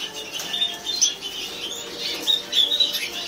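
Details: A captive European goldfinch pair, a white-headed male and a brown female, twitter continuously with high bright chirps and brief whistled notes in quick uneven bursts.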